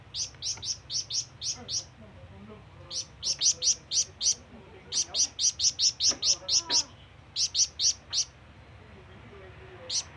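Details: ['Energetic flamboyan bird calling to companions and rivals with long fast runs of sharp, high-pitched chirps, several per second, in bursts broken by short pauses.']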